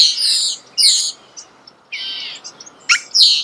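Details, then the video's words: A starling sings at close range outdoors, giving loud scratchy broadband bursts, a few thin whistles, then more rasping notes after a pause. "The song of the starling"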